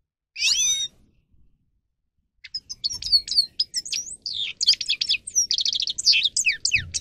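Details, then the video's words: Grey-crowned goldfinch singing, recorded as a training piece to stimulate other goldfinches: one bright trilled note, a pause of over a second, then a fast, dense twittering run of chirps, buzzes and rising and falling whistles. "Goldfinch song Best for training"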